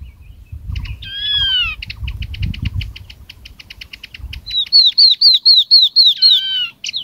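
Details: Yellow-eyed Babbler lure call for attracting a flock: a rapid run of high, clipped notes, then loud slurred whistles about three times a second, over low rumbling handling noise.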